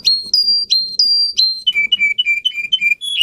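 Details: Russian singing canary, song for training other canaries: five repeated bright whistled notes, then a quick run of lower chirping syllables and a final whistle, with a soft low hum underneath.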